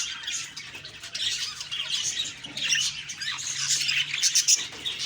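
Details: Morning budgie sounds from October 2, 2023: lively squeaky chirps and twittering from many birds, rising and falling in loudness, with a faint low hum beneath.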